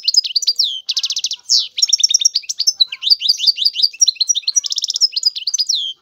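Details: A European goldfinch sings a sustained, jumbled medley of high chirps, sweet slurred whistles and dry rattling trills, tumbling along almost without breaks.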